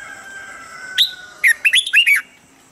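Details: Red-whiskered bulbul singing a standard morning training voice: a faint steady tone in the background, one high note, then a brisk phrase of five chirpy, slurred whistles.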